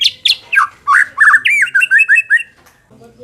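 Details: White-rumped shama song used to make a less combative bird more aggressive: a few high downslurred notes, then a quick series of looping whistled phrases, fading into quiet low noise at the end.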